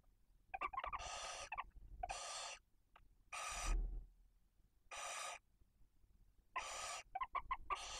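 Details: Barn owl at its nest in Cabañeros National Park, Spain, with chicks of one and four days during feeding. Six rough hissing bursts repeat steadily, broken by short clusters of quick clicking, chittering notes.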